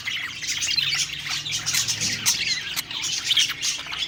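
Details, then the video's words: Several budgerigars sing cheerfully as they eat, giving rapid warbles, squeaky chirps and short harsh notes in a continuous group chorus, with a faint low hum beneath. "Happy Singing & Eating Parakeet Budgies Birds"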